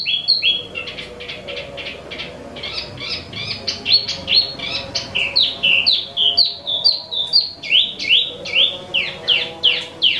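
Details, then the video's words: An imported Wambi mini (Tieu Mi), in healthy condition, sings a fast, varied, non-stop song of loud, clear whistled notes, mostly slurred downward, about two or three each second. "Tieu Mi Gacor"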